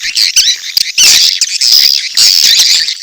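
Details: Edible-nest swiftlet mating call with chicks calling: bursts of shrill, buzzy twitters, some drawn-out squeaky notes, broken by short clicky gaps.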